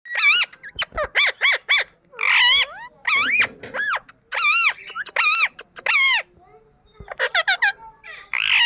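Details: Indian ringneck parakeet giving natural squawking calls: sharp, harsh, harmonic notes delivered in quick bursts, roughly twenty calls across nine seconds with short gaps between groups.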